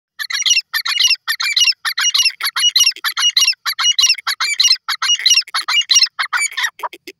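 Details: Grey francolin calling. Loud, harsh, high notes come in rapid bursts, repeated steadily with short gaps for about seven seconds, against a silent background.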